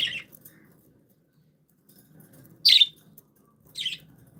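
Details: Happy, playful pet budgerigars: three separate harsh, buzzy chirps spaced about a second or more apart over a quiet indoor background.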